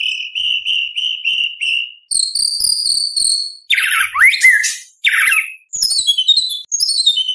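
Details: White-rumped shama singing actively, full of mimicked material for contests: a row of steady whistled trilled notes, then higher rapid trills, a sweeping falling phrase and bursts of dense chattering notes.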